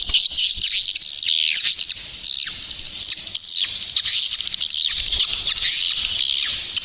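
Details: Swiftlet lure call of the Neptunus type, played to attract swiftlets during the rainy season: a dense, unbroken chorus of high, buzzy twitters and chirps, with quick rising and falling notes overlapping throughout.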